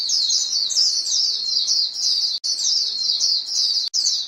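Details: Flock of white-eyes keeping in contact with each other. Thin, high-pitched twittering runs on without a break, cut by two abrupt silent gaps near the second half.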